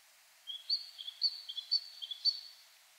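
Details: Great Tit, common from old forest to city centre, singing one of its many short song variants: thin high whistled note pairs, a lower note then higher, repeated four times roughly every half second against light background noise.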